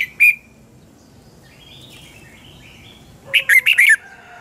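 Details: Morning training song of a red-whiskered bulbul, double-twist voice style, from 2020. A single sharp chirp opens, then soft thin whistles and a final loud tumbling phrase of four or five fast, twisting notes.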